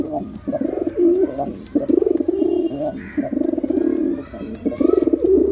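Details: Several pigeons cooing in continuous overlapping low, rolling, throaty phrases with a pulsing tremolo, barely pausing; a brief higher sound near the middle.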